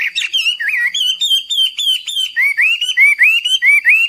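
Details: Chinese hwamei (Garrulax canorus) in full, persistent training song: rich, fluty whistles that bend upward, delivered in quick succession and shifting pitch partway through, clean with no other sounds.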